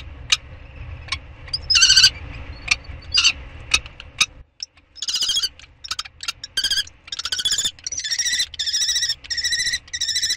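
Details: Common kestrel during a prey transfer on 2 May 2013. Sharp ticking and scraping noises come first, then a run of harsh, buzzy, trilled calls repeated in quick bursts through the second half.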